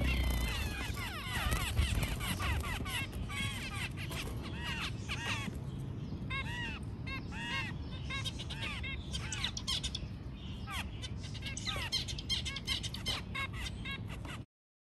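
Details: White zebra finches during mating give rapid, nasal, arched notes in busy bursts over a low rumbling background.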